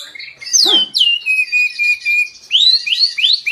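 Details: White-rumped shama song used as a lure to provoke other birds into singing: loud, clear whistled notes sliding down, a long level whistle, then quick rising upslurred whistles near the end.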